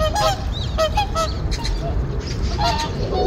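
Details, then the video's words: Morning on a winter reservoir: returning whooper swans nod and call as a squabble starts within the flock; clear, nasal trumpeting honks in short bursts, several birds overlapping, with quieter gaps between calls. "저수지에 울려 퍼지는 큰고니 함성,싸우는 큰고니"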